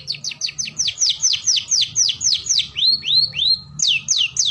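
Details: Long-tailed shrike, cendet in Indonesia, giving a rapid series of sharp downslurred whistles about five per second, interrupted by a few rising, upswept notes before the falling whistles resume.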